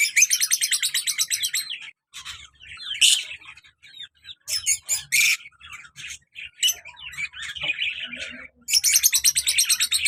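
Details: Pet lovebirds, colour male and black-mask female pair, lively: long bursts of rapid, shrill, pulsed squawking at the start and end, with sharp separate screeches and softer chirps between.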